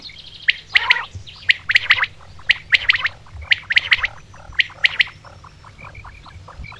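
Common quail calling in sharp, high, clipped notes, often in quick groups of about three, repeating roughly once a second over a faint low hum.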